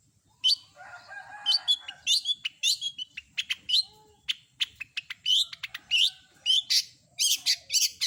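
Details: Lively long-tailed shrike song built from mimicked phrases: rapid sharp high chirps and ticks in quick succession, with a brief lower buzzy passage near the start and a few soft low whistles.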